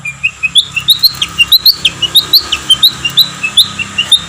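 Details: Competition-training master song of a songbird with rough shot-like fill: a steady series of short, bright chirps about twice a second, jumping between higher and lower pitches, with faint background hum.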